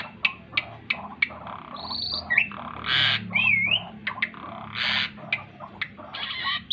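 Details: Energetic gacor song of an Asian pied starling flapping its wings: scattered dry clicks, grating squawks and a single wavering whistle, over a faint low hum.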